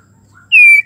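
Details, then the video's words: Female white-rumped shama in breeding condition calling a male, a single loud, pure whistle held steady and dropping slightly in pitch at the end, preceded by a faint soft note; otherwise quiet. "MURAI BETINA BIRAHI MANGGIL JANTAN"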